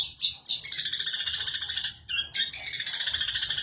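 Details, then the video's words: Indonesian caged long-tailed shrike in full song after the cage cover is removed: two sharp opening notes, then a long, steady, buzzy trilled phrase, a brief break, and another rapid rattling warble. "MASTERAN BURUNG CENDET BUKA KRODONG GACOR"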